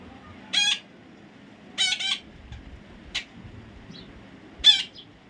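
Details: Baby parrot giving four harsh, buzzy squawks, evenly spaced about a second apart, each short and rasping, against a quiet background hum.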